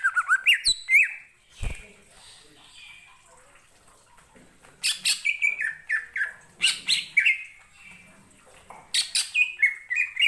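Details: Greater green leafbird singing, stirred by another leafbird's song; varied bursts of sharp chattering notes and slurred whistles, with quiet gaps between phrases.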